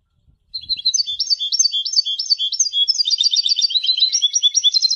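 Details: European goldfinch, singing for song education, delivers an unbroken stream of high, sparkling twitters. The notes alternate rapidly and grow busier and more jangling toward the end.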